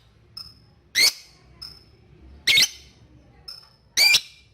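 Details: Lovebird giving ticking calls to provoke a rival's trilling; three loud, harsh, rasping chirps about one and a half seconds apart, separated by soft thin ticks.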